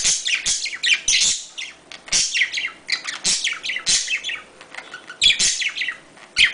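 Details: Budgerigar mating sounds: continuous rapid warbling chatter of high, squeaky chirps and slurred notes, dense and lively with short breaks.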